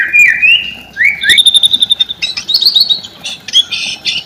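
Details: White-rumped shama song used to draw silent shamas into singing: sliding whistles, a thin high sustained note, then quick chattering and squeaky notes in a varied burst.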